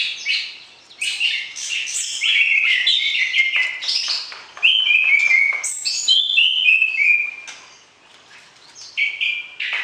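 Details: Caged white-rumped shama singing to arouse a mate before being placed in a breeding cage; loud, fast phrases of clear whistles, downslurred notes and scratchy trills, ending in softer, quieter notes.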